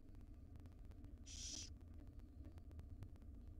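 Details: A single breathy, noisy hiss from a wild barn owl chick in a nest box at breakfast feeding by its mother, lasting about half a second, set against a low droning hum and light tapping.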